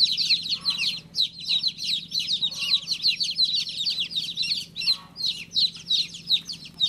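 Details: Chicken chick chirping in quick bursts of sharp, high, descending peeps, separated by short pauses, a faint low hum in the background.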